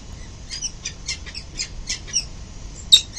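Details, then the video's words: Peregrine falcon parents arriving at the nest on a building at dawn, 22 November 2024; a quick run of rasping, scratchy notes close by, finishing with one sharp louder squeal, background fairly quiet. "Falcon mom and dad early morning arrive home"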